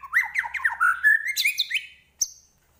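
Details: White-rumped shama in full song: a fast run of varied mid-pitched whistles sliding up and down, rising into higher swooping notes, then a short pause and one sharp high note.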